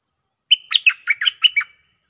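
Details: Cream-vented bulbul; call; calling a mate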